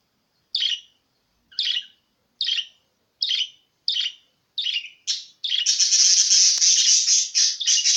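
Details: Budgerigar sound intended to prompt pet budgerigars to sing: short bright chirps repeated about once a second, then from the sixth second a continuous dense warbling chatter.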